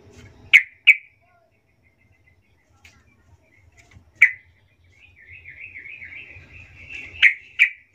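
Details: Yellow-vented bulbul, lure recording with a soft voice to make other bulbuls call back: a few sharp chips, a wavering warbled phrase, then more clipped chips, low hum underneath.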